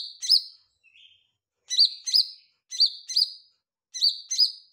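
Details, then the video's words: Olive-backed tailorbird singing, sharp high chirps given mostly in quick pairs, each pair separated by a short pause, with one softer lower note early on, in an otherwise quiet setting. "Cucak ijo mini gacor suara merdu"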